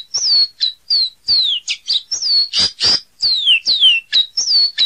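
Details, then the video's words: Caboclinho delivering a continuous sequence of bright, high whistled phrases, several gliding down in pitch, interspersed with short sharp notes, with no other sounds. "Canto do Caboclinho"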